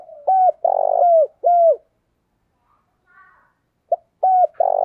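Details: Decoy spotted dove kept for luring wild birds, cooing in two phrases: three loud mellow falling coos, a pause with a faint higher call, then a short note and two more coos.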